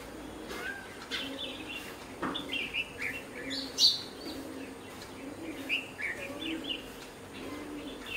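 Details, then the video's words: A colony of Red-whiskered bulbuls, birds that eat khichadi (rice), giving scattered short, bright chirps and liquid notes from several birds at once, with a few louder clipped calls above a soft background hiss. "Red-whiskered bulbul"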